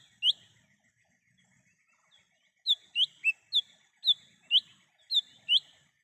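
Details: Lesser green leafbird in the wild, recorded as a trapping lure: a single piercing whistle, then a long run of about eight evenly spaced bright whistled notes at a steady pace, with faint background hum.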